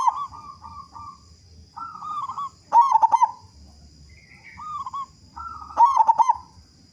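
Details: Local perkutut, a zebra dove known for a big voice, singing as a lure to make other doves call: several soft wavering coo phrases broken by two loud, stuttering trilled coos about three seconds apart.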